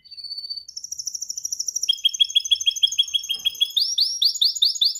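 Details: Canary singing in training to perfect its song: a steady high whistle, then a fast rapid trill, shifting into quicker rolls of repeated syllables and ending with louder arching notes repeated several times a second.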